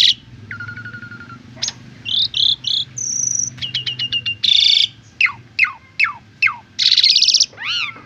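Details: Asian pied starling song for training other birds, opening with a low trill, then pure whistles, quick clicking notes, loud harsh bursts and a string of sharp downward strokes.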